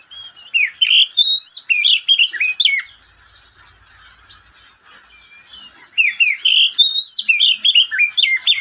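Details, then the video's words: Midday song of a pet oriental magpie-robin: loud, varied whistled notes and sharp slurs in quick succession, a three-second pause, then another energetic burst of mixed phrases. "Suara burung Kacer di siang hari"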